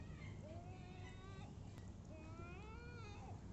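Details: Gulls at Sorrento, Italy: drawn-out, nasal, mewing cries that slide upward and then fall. Two or three calls overlap over a steady low rumble.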